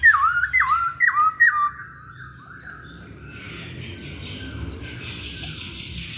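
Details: Hwamei singing: a quick series of four loud whistled notes, each dipping and rising again, then fading into a soft hiss with faint distant chatter.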